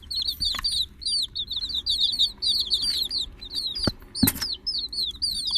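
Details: Several chicks calling together, their shrill, bent peeps coming in quick overlapping runs, broken by a few sharp clicks and a short scuffling noise.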